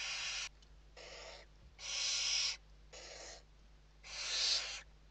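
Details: Barn owls in a Spanish nest interior at evening feeding time, late November 2023, giving long rasping hisses, five noisy bursts with short pauses, some louder and longer than others.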